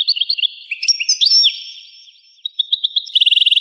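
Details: A European goldfinch from a rare recording dated 1985 gives quick twittering notes and slurred whistles, a pause, a few soft chirps, then a fast, even, buzzing trill at the end.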